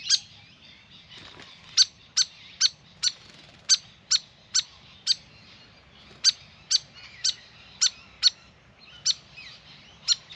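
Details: A Grey Fantail (Rhipidura albiscapa) at a backyard birdbath around a long bath gives sharp, high, dry chips, singly or in quick pairs about every half second, over a quiet background hum.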